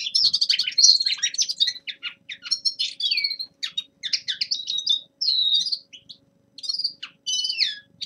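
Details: Winter warm-up song of a young male common linnet: rapid rattling notes opening into varied high twitters and short whistled slurs, delivered in choppy phrases with short gaps between them.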